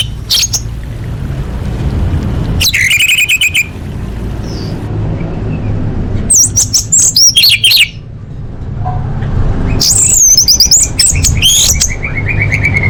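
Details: Orange-headed thrush masteran song: loud bursts of dense, high, rapidly varied warbling and trills lasting a second or two each, separated by quiet gaps, over a low rumbling background.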